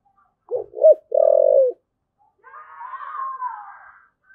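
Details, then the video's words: One thúc gù coo phrase from a spotted dove, two short pulses and a drawn-out steady coo, followed by a softer, higher, wavering drawn sound. "cu gáy thúc gù"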